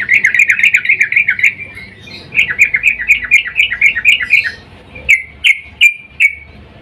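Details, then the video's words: Female sooty-headed bulbul calling the male in breeding mood, used as a lure: rapid bubbly chattering runs of short warbled notes near the upper-middle range, a pause, another run, then a few separate slurred whistles. "trucuk Betina memanggil jantan EMOSI BIRAHI"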